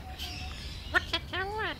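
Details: Hand-raised pet Alexandrine parakeet chatting with a person: two short sharp clicks followed by a longer curving, harmonic phrase that dips and rises, against a quiet room background.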